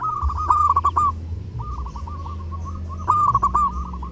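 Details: Zebra dove singing actively during Eid, kept as a tutor bird: rapid staccato cooing notes in a level, rolling phrase, repeated twice with a pause between, over a steady low hum.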